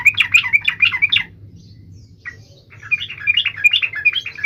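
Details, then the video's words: Yellow-vented bulbul (trucuk) in energetic, sharp song: rapid chattering phrases of bubbly, warbling notes, a brief lull with a single note, then another long run of quick chirps. "trucukan gacor"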